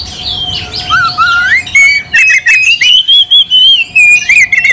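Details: Oriental magpie-robin singing to provoke another into fighting: slurred whistled notes, then a long string of rapid clipped chirps and sliding whistles at a fairly even fast pace, with a faint steady tone behind.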